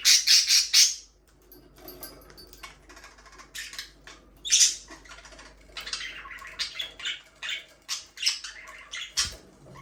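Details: Several fast, loud, scratchy chirps open the sequence, then pet budgerigars keep up softer warbling and chattering, punctuated by sharp rising squeaks.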